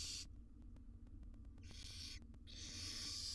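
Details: At a wild barn owl nest box where a mother grooms her tiny chicks, three harsh breathy hisses separated by quiet gaps with soft clicking, the last hiss swelling and continuing to the end.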